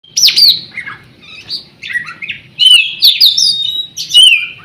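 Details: Competition oriental magpie-robin from Riau, Indonesia, said never to have lost a provincial-level contest, pouring out loud, varied song of sweet whistles, sharp upslurred notes and drawn-out bright phrases with barely a pause.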